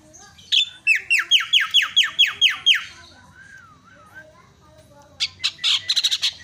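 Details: Myna calls used to stir a quiet bird into calling: a fast run of loud, falling, slurred notes, then a soft wavering whistle, and finally a burst of harsh buzzy chatter.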